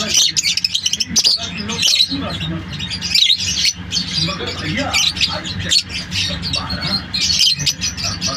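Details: Flock of lovebirds producing busy, shrill chattering: rapid overlapping high chirps and short squawks that swell and fade in bursts, over a constant low hum in the background.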